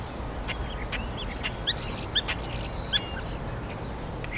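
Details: Common starling singing in Hyde Park, London, UK, in April 2016, performing complex vocalizations: a dense burst of clicks, sharp whistles and rattling high notes lasting about a second and a half, then scattered chirps over a steady low background hum.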